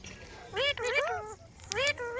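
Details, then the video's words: Green parrot talking in a quick string of voice-like, bending syllables, a short phrase, a pause, then another brief utterance. "Green Parrot Talking Natural Sounds | Mitthu Ki Awaaz | Tote Ki Awaaz"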